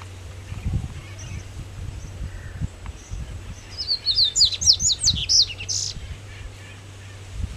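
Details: Double-collared seedeater (Sporophila caerulescens) in Jaboticabal, Brazil, singing a quick burst of high, sharp chirps and buzzy notes lasting about two seconds, over a low background rumble.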